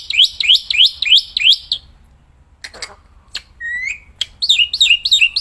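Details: Black-winged myna singing outdoors, a loud, nonstop singer: four arched, rising whistles in quick series, a quiet gap with a rasp and one long level whistle, then more looping whistled notes.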